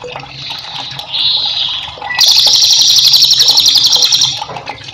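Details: Cililin, a cage bird, singing as master song for training other cage birds: a long, fast, even trill of rapid high notes about four per second, after softer high phrases, with running water in the background.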